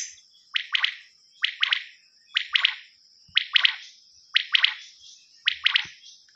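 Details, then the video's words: Rain quail calling at night, a recording used as a hunting lure: bright grouped notes, two or three quick clipped whistles per burst, repeated roughly once a second over a faint steady high tone. "Batair cassette /rain quail sound/night cassette"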